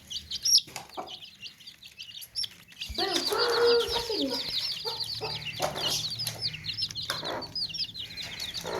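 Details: Basket of chicks peeping, hens clucking close by: a quieter start with a few peeps and knocks, then a loud rasping hen call and steady, insistent shrill cheeping to the end.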